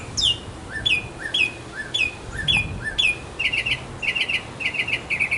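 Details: Male mockingbird courting a female in a backyard: clear down-slurred whistles repeated about every half second, then a switch to fast buzzy chattering phrases in repeated bursts.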